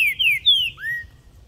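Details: A caged tournament green-winged saltator, sung outdoors on a street with its cage carried in hand, gives three clear, slurred whistles dropping in pitch, then a lower rising whistle, over a faint low rumble.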